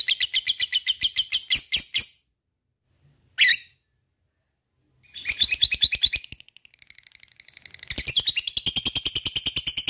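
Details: Lovebird in a lure recording meant to provoke other lovebirds into long ngekek chatter: dense, rapid, harsh high chattering notes in bursts, pausing mid-clip, then resuming with a steady fast buzzy series.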